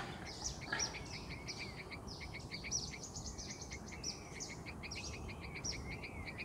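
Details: A yellow-vented bulbul (Pycnonotus goiavier) calls in quick runs of sharp, high chips and chattering notes, repeated every second or two, over a steady low rushing hum.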